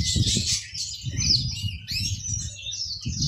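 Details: Yellow-fronted canary, a seed-eating finch kept by Indonesian bird fans, sings fast high sweeping notes in short bursts over repeated low rumbling knocks and rustles.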